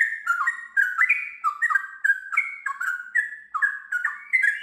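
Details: Sooty-headed bulbul in full gacor song, ngiwir followed by long ropel: mellow, fluty whistled notes bouncing up and down in short linked phrases of two or three notes, delivered steadily without a break.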